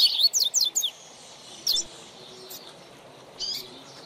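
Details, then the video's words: Double-collared seedeater, known locally as coleiro or papa-capim, kept for song training. A quick burst of high, sliding chirped notes opens the clip, then isolated high notes separated by quiet gaps. "Manejo de Fibra do Seu Coleiro ou Papacapim"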